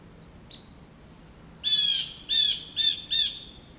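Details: Blue jays in a back yard mobbing a roosting adult male osprey: a short faint note, then four loud harsh jeers in quick succession, the last two closest together.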